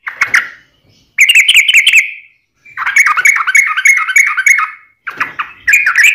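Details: Yellow-vented bulbul singing in dense, chattering bursts of quick warbled notes, three long runs separated by short silences, harsh and squawky in texture.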